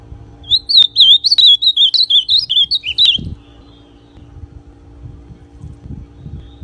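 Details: A brown-plumaged ultramarine grosbeak (azulão pardo), whose song is played to warm up other azulões, gives a quick, sweet warbling phrase of about ten bright, up-and-down notes lasting three seconds, then quiet with a faint low rumble.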